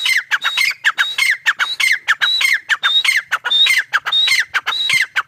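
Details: Teetar chicks, named grey partridge, giving a steady run of loud squawky calls. Each call is a high whistle dropping into a harsh falling note, repeated rapidly and rhythmically, well over a dozen in five seconds, over a clean quiet background.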